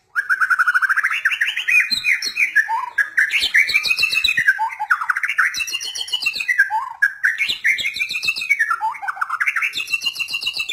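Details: White-rumped shama in full song: loud, fluid whistles sweep up and down between rapid chattering trills, with arched phrases repeated with variations and no break in delivery.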